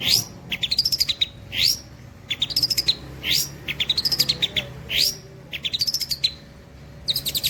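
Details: Long-tailed shrike singing: rapid rattled trills alternating with upswept and arched whistled notes, a phrase roughly every second, high-pitched and clear, with a faint low hum.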